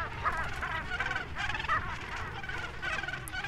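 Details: A dense chorus of Cape Gannets at the Malgas Island breeding colony of about 46,000 birds, a population in steep decline, gives harsh, rasping calls overlapping without pause, over a low rumble of wind or surf.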